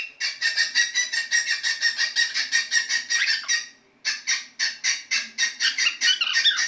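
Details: A male cockatiel sings a rapid run of bright, chirpy whistled notes, pausing briefly before continuing.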